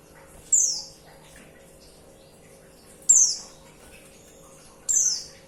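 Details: Calling female white-eye, used to stir males into song: three high, thin, downward-sliding whistles at irregular intervals of two to three seconds over a low hum.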